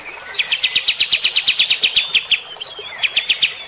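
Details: Bulbul known locally as kapas tembak, singing rough 'tembakan kasar' bursts used to rile fighter-type birds: a fast, even run of clipped chirps, a short gap with a gliding whistle, then another quick burst.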